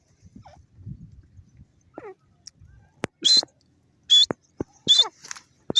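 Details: Grey francolin, known in Pakistan as teetar, calling: loud, high, ringing notes repeated about once a second in a short series, preceded by softer scattered sounds and faint low rustling.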